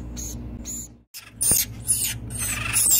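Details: Acorn woodpeckers in rehabilitation at a bird rescue center in Santa Rosa, California give two short, high squeaks, then a run of harsh, raspy, overlapping chatter that grows louder, with a sharp knock partway through.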